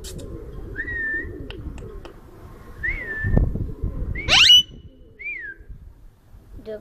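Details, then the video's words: Rose-ringed parakeet in Bahria Town, Lahore, Pakistan, giving short, clear whistled notes that rise and fall, spaced a second or two apart, with one harsh, sharp screech near the end. "Ringneck Parrot Talking"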